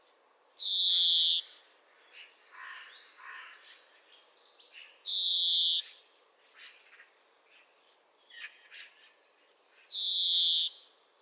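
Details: European greenfinch song: three long, drawn-out buzzy wheezes, each nearly a second, repeated roughly every five seconds, with soft scratchy twittering notes between them.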